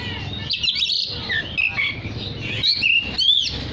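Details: Energetic oriental magpie-robin song to call other magpie-robins: clear rising and falling whistles and short trilled notes in quick succession over low background hum.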